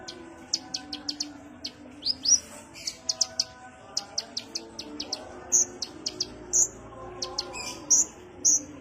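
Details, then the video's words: Kolibri ninja sunbird lure sound: a mix of fast high chips and short bright upslurred notes, irregularly spaced and delivered calmly. "pancingan konin suara santai"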